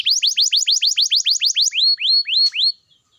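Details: Singing canary, used to coax idle canaries into song: a quick series of rising-then-falling high notes, slowing into three longer upward-curving whistles before silence.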